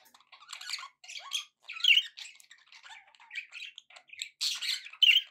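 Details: Happy pet budgerigar chattering indoors: bursts of harsh, buzzy warbles and squawks with short chirps, broken by brief pauses.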